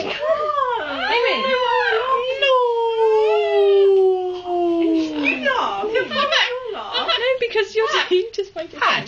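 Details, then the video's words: Pet Amazon green parrot indoors making noises: rapid chattering, speech-like sounds, then one sustained wail of about three seconds, gradually falling in pitch, followed by more quick, broken chatter. "amazon green parrot making noises"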